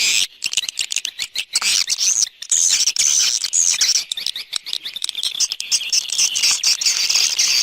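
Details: Swiftlet external sound recording: sustained high, hissy twittering with fine whistled glints and irregular clicking chirps, with brief silences early on.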